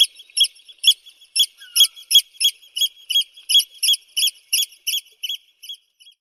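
Eurasian oystercatcher giving a loud, shrill series of piping 'kleep' notes, about two or three a second, quickening slightly then fading away at the end.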